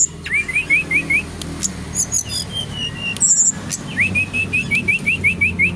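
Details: Bali-origin brown-chested jungle flycatcher in full song at a kiosk: two fast series of repeated upslurred looping whistles, about six to nine notes each, separated by scattered high squeaks and chips from other birds.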